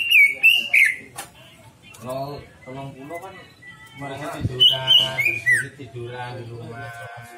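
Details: Greater green leafbird (cucak ijo) song used as a lure to draw out another bird's full repertoire: loud, clear whistled phrases that slur and drop, opening the recording and returning near the middle, with a man talking in between and underneath.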